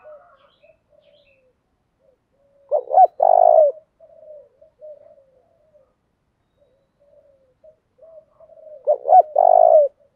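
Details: Spotted dove cooing in the 'thúc' style to rouse wild doves: two loud phrases, each two short notes and a long purring coo, about six seconds apart, with soft coos between.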